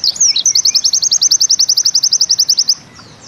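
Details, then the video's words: High, fast zipper trill from a Bustomi pleci white-eye in 'nembak ziperrr' style: a short slurred lead-in, then a steady rapid series of about twenty-five sharp chips before the song stops abruptly. "Bustomi NEmbak Ziperrr Mudah DI Tiru"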